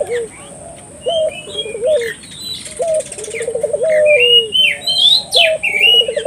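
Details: Lively Barbary dove used to stir local doves into calling: short low coos and a pulsed rolling phrase, mixed with frequent high whistled chirps of other birds and a steady thin background whine.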